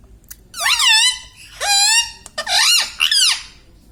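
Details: Indian ringneck parakeet kept as a talking pet, uttering four loud, nasal, slurred word-like phrases with rising and falling contours, indoors with light background hum.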